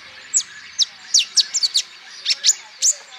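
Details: Olive-backed sunbird song, used as a lure to get other birds singing: a dozen crisp, high, downward-sliding chirps, some in tight doubles, against a quiet background.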